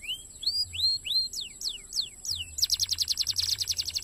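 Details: Canary song for training contest birds: a series of arched, rising-then-falling whistled notes and steep downward sweeps, then breaking into a rapid, tightly packed trill; faint steady background hum.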